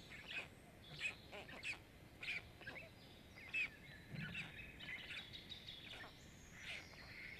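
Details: Five young Black storks at a nest camera in Jõgeva County, Estonia, begging during a feeding on 29 May 2022: raspy, wheezing calls roughly every half second to second, crowding together near the end.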